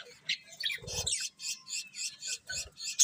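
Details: Budgies chirping in a steady series of short scratchy high notes, about three per second, with a couple of brief low rustles.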